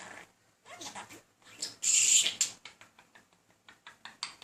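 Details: Pet budgie, a male persistently courting a female indoors; soft clicks and warbling lead into a loud harsh screechy burst, then fast ticking chatter.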